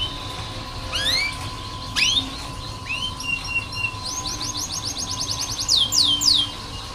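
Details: Canary singing in a training recording for young birds: scattered rising whistled slides, then a quick run of repeated chirps and downward sweeps, somewhat distant over background hiss and hum.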